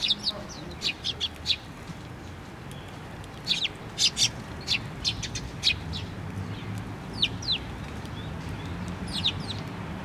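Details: Several sparrows flock to a post-mounted feeder at a Tenmangu shrine on 24 June 2023, giving sharp, high tweets in short clusters every second or so, with quiet low background rumble between calls.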